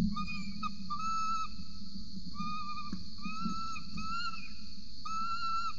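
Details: Peregrine falcon nest in Orange, Australia, 8:07 am, 26 November 2020, adult feeding a chick: repeated clear whistled notes, some rising slightly at the end, coming in short runs, with a low mechanical hum throughout.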